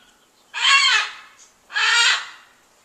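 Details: Large pet bird on a back porch, calling for ten minutes and longer in January; two loud, harsh, buzzy screeches, each about half a second long, spaced just over a second apart.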